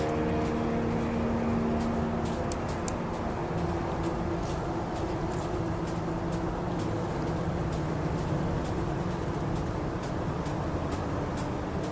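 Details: Steady vehicle rumble and low engine hum with faint scattered clicks, and no clear animal calls.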